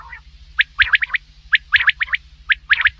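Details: Black francolin calling: tight clusters of two to four harsh, clipped notes repeated at irregular intervals, some notes sliding upward, over a steady low electrical hum.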